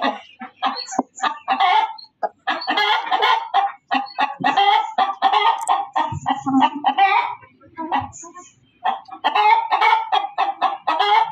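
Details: Loud hen cackling, dense strings of harsh clucks with a short lull midway, then the rapid clucking resumes.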